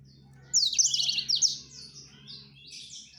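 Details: A male black-throated canary courting a female bursts into a brief, high, tangled twitter of rapid trills and sharp whistles, fading into softer notes, with a low hum throughout.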